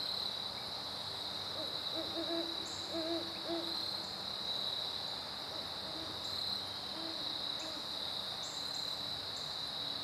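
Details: Pair of great horned owls duetting on 15 September 2012 at night, low soft hoots in short rhythmic bursts over a steady high drone of night insects.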